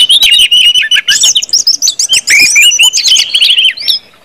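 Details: Rapid, continuous ngeplong song of an orange-headed thrush, meant to make other birds sing fast: tightly packed sweet whistles, quick twitters and repeated slurred notes, ending in a brief fade.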